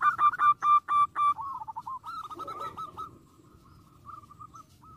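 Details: Zebra dove singing to provoke rivals: about a second of loud, clipped, repeated cooing notes, then a softer rolling trill that fades into a quiet, faint murmur of notes.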